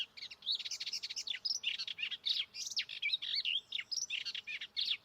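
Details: Male melodious warbler singing fanatically just after returning from Africa, at dawn along a path: a very fast, dense torrent of varied chirps, trills and upslurred whistles, mimicking other birds including African species, with scarcely a pause.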